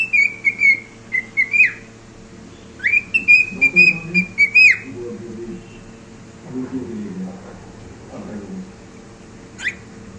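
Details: Pet cockatiel singing indoors: a series of clear whistled notes holding steady and rising slightly, with short high flicks, then softer low chatter and a lone high chirp near the end; a faint steady hum runs underneath.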